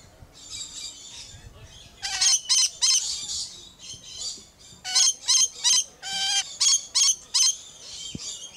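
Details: Close-up of a squawking lorikeet at Lion Country Safari, Florida: rapid series of loud harsh screeching squawks, several per second in two long runs, separated by softer chattering notes.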